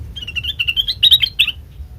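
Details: Sooty-headed bulbul song used as a lure for other birds: a rapid run of bright chirped notes, slurred and rising, packed closely for about one and a half seconds, then quiet.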